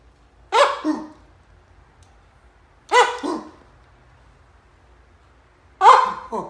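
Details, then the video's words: Pet cockatoo imitating a dog's bark: three loud, hoarse, broad two-part barks spaced about two and a half seconds apart, each a harsh burst followed by a shorter lower echo-like note, with quiet room background. "Cockatoo barking like dog"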